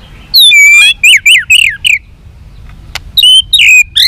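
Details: Fight-provoking long song of a white-rumped shama: a clear high sustained whistle, then a series of ringing downslurred notes, a brief pause with a click, and more piercing whistles.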